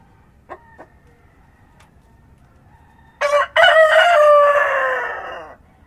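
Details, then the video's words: Rooster crowing at dawn on a farm: a few faint short clucks in a quiet opening, then one full crow with a brief first syllable and a long loud note that tapers away. "Rooster Crowing at Dawn"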